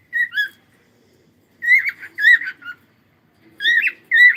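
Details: Whistled phrases from a singing cockatiel come in three bursts separated by pauses, each a rich, warbling note that bends up and down with a bright, harmonic-laden tone.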